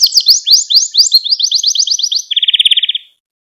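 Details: Canary training song for teaching young singers: repeated quick upward-sweeping notes, then a fast trill and a steady rapid rattle of about a dozen pulses, fading out.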